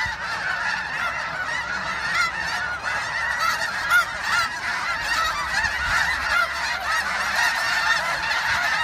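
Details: Spring migration flock of snow geese, Westham Island in Delta, British Columbia, March 24, 2015: rolling din of many high honks overlapping about twice a second, swelling slightly in loudness toward the end.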